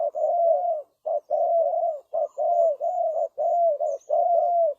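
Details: Spotted Dove used as a decoy to lure birds: mellow, low cooing in sustained hollow notes, each held about half a second to a second, with short breaks between them and a few faint high ticks above.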